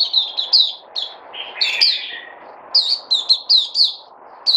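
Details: Captive bulbul singing; rapid bright chirping notes falling in pitch, in quick clusters with short pauses, over a soft low background murmur.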